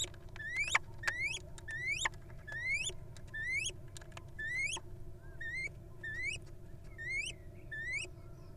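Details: Wild female little owl at its nest during egg laying, with a steady series of rising, whistled notes with harmonics, repeated roughly once a second, over a constant low hum.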